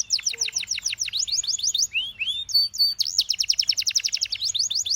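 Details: Canary singing: rapid trills of sharp descending notes, then two slurred rising whistles and a short level whistle, ending in a long fast buzzy roll of clipped notes.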